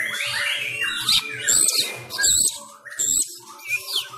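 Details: Oriental magpie-robin of the Sumatran kind singing its fighting style at home during Covid-19 restrictions: scratchy chatter, high slurred whistles and bursts of noisy notes, with low rhythmic thumps underneath.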